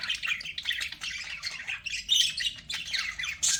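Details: Budgies in a lively chorus of rapid chirps and scratchy warbling, notes tumbling over each other with small swells in volume.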